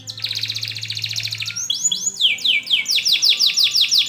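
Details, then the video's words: Canary singing to coach young birds to sing: a fast, dense rolled trill of buzzy notes for about a second and a half, then a few sweeping upslurred whistles and a run of bright, rapidly repeated descending chirps. "kenari gacor panjang Cuit Cuit EMOSI, Pancingan Kenari Paud Belajar Bunyi"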